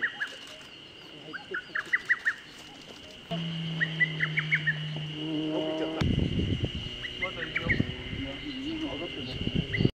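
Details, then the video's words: A lesser cuckoo sings in 2014, giving quick bursts of four to six sharp, high whistled notes. A steady high whine, a low hum and people talking are also heard. "ホトトギスの鳴き声 Singing Lesser Cuckoo"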